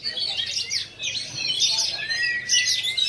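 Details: Black-form Oriental magpie-robin in bowing style at a routine practice bird-singing contest in Lhokseumawe, Indonesia, 9 January 2022; dense overlapping whistled and chattering phrases, sliding notes and rapid trills, with other contest birds singing alongside.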